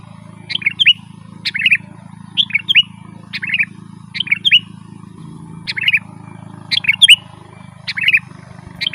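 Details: Sooty-headed bulbul in lively, chattering rolling song, used to lure wild birds in the forest and to tutor caged bulbuls: short bright whistled phrases with a sharp opening note, repeated roughly once per second, over a steady low hum.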